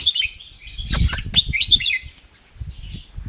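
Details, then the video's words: Caged red-whiskered bulbul singing in the double and rik song styles: a string of bright chirped and whistled notes that rise and fall, with a man urging it on and low knocking sounds. "นกกรงหัวจุกชื่อ ยูโร ทั้งร้องเบิ้ลทั้งริก"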